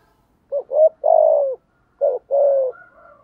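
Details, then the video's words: Spotted dove cooing, a sound used to stimulate decoy birds to coo: two short stuttering notes, then a longer mellow falling coo, with the phrase starting again after a pause, low and soft, in quiet surroundings. "Tiếng chim cu gáy kích bổi và tập mồi rất hiệu quả"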